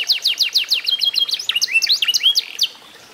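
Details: F1SF canary, eight months old, showing its song after being tutored with master recordings: fast runs of high, steeply falling whistled notes, then a sequence of varied chirps and upswept notes, ending in quiet after about 2.7 seconds.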